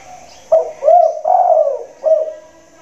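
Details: Caged spotted dove with a big voice, cooing from a hanging cage during the rainy season: four low, mellow coos in quick sequence, the third drawn out and falling, the last a short rounded note, in a quiet room.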